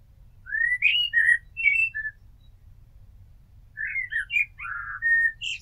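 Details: Two mellow blackbird phrases separated by a pause, each made of rising and falling flute-like whistles ending in a thin high note.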